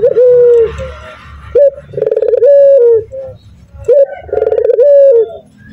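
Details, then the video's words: Loud, persistent calling of a local male spotted dove: repeated phrases of a brief upslurred note, a fast quavering roll and a drawn-out level coo dropping at its close, each phrase about two and a half seconds. "Masteran Suara Burung Puter Jantan Super Nguku Gacor"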